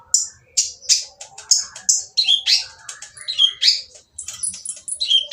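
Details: Noisy, rough-voiced oriental magpie-robin song used to goad silent birds into singing: loud high scratchy notes about twice a second, then quicker rasping phrases with some downslurred whistles.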